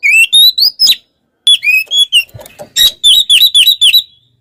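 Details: Oriental magpie-robin (kacer), a caged songbird in full song, described as provoking rivals: rich loud whistled phrases with rising and falling slurred notes, rapid chattering bursts and harsh buzzy elements, delivered in quick succession with a brief pause.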